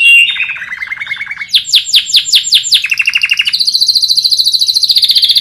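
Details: Canary (kenari) master song, played daily as a model to train other birds to sing: a low rapid trill, then a run of bright descending sweeps, a quick mid trill, and a long high buzzy rolling trill.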